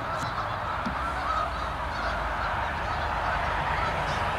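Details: Canada geese at South Utica Reservoir in Utica, New York, in November during fall: a flock chorus of overlapping nasal honks, steady and unbroken, with a low rumble of background noise beneath.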